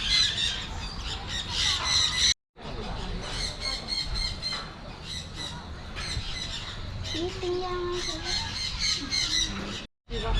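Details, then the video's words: Many parrots, mostly South American species including macaws, squawk in a netted aviary at Trichy Birds Park, Tamil Nadu, India. Harsh rasping cries overlap in a constant din, with human voices underneath and two brief gaps of silence. "Birds Aviary ( Macaws & Colourful Parrots )"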